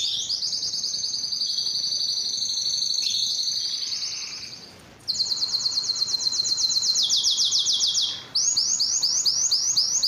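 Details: Loud Belgian canary song for courting females before breeding: long high rolled trills change tour twice after short dips, ending in rapid repeated upslurred notes.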